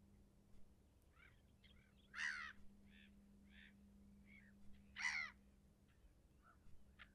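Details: Leucistic red-throated loon heard as two loud, harsh, croaking calls a few seconds apart, with softer short nasal notes between them over a faint steady hum.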